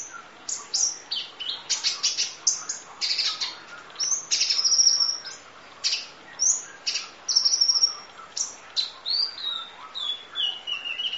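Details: Long full-fill sunbird training song: fast, dense high twittering with squeaky chirps, drawn-out thin whistles and falling sweeps in continuous rapid bursts.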